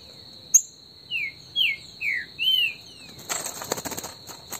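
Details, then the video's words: In the woods, a Green-winged saltator sings a warm-up phrase of four loud, slurred falling whistles under a constant shrill insect tone, ending in crackling rustle. "ESQUENTA trinca ferro no MATO"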